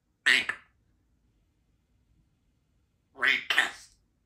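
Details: Two-year-old female Congo African grey parrot kept as a pet in a country home, practicing her sounds and words. There are two short, raspy, speech-like utterances about three seconds apart in a quiet room.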